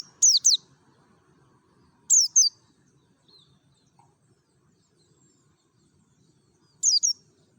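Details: Mountain white-eye from Merapi singing in 'ngalas' forest style, used to coax other white-eyes into song: three brief bursts of paired high, downward-swooping notes, about two and then four seconds apart.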